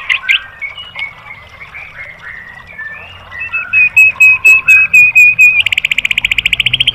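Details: White-rumped shama master song used to train caged birds, 'tembakan' delivery: soft slurred warbling, a strong repeated note about twice per second, then a rapid buzzy trill at the end.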